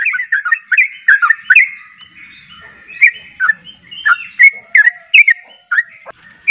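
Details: Yellow-vented bulbul song for prompting other bulbuls: a rapid cluster of chattering notes, then a pause, then slower, separated liquid phrases.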